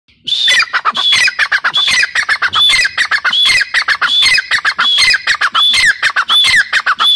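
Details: Grey partridge (teetar, dakhni teetar) calling loudly and continuously: harsh, squawky notes mixed with clear, high whistled phrases, repeated rapidly for the whole stretch in an insistent chattering series.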